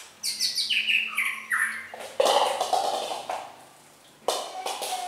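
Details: Red-whiskered bulbul contest singing: a descending series of clear whistled notes followed by loud harsh burry phrases, a silent gap, then another rough burst; faint low hum in the first two seconds.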